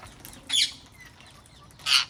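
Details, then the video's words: Wild parrots in a garden, two loud harsh screeching calls about a second and a half apart, with faint softer chirps between them. "AMAZING WILD PARROTS IN OUR GARDEN"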